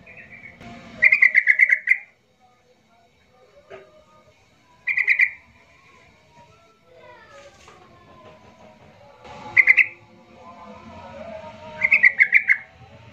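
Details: Yellow-vented bulbul in an agitated lure song to stir silent bulbuls into singing: four short bursts of rapid chattering notes spread over thirteen seconds, with softer sliding whistles in between.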